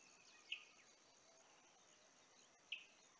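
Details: Olive-backed sunbird at Kingfisher Park Lodge, Julatten, far north Queensland, 17 December 2022, giving two sharp, high single chips about two seconds apart over a steady hiss of insects.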